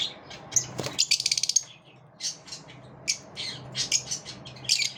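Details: A group of lovebirds pushing each other away; a fast rattling series of harsh clicks opens, followed by scattered shrill chirps and squeaky squawks, with a faint low hum behind.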